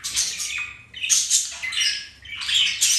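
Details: Three loud, raspy squawking bursts with buzzy warbled notes from pet budgerigars during mating, flirting and play.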